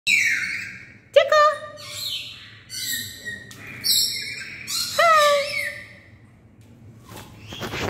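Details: Caged black-capped lory calling loudly: harsh, squawky, strongly harmonic screeches and a few sharp whistled notes in separate bursts over eight seconds, with quiet pauses between.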